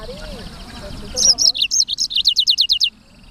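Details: Quick high repeated notes from a black-throated canary, the sanger, roughly a dozen clipped chirps in a steady fast series following a low murmur of background noise.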